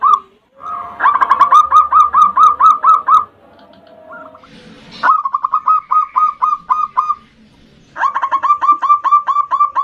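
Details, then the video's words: Zebra dove of a local strain, in a rival-provoking lure song in the 'ndudut' style. Three drawn-out phrases of rapid hooked coos, separated by quieter gaps with faint background tones and a brief noisy burst. "Perkutut Lokal GACOR suara VARIASI NDUDUT Ampuh memanggil Lawan EMOSI MANGGUNG PANCINGAN PERKUTUT"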